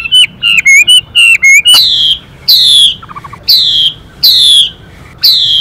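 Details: Male Chinese hwamei in varied, voice-changing song, with a female making rapid hissing calls to excite him: a few bouncing whistled notes, then loud, buzzy, falling strokes repeated roughly every second.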